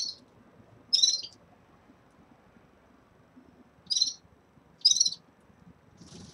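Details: Red-fronted serins in a cage at the start of moult; separated buzzy high bursts, each under half a second, spaced a second or more apart over quiet background.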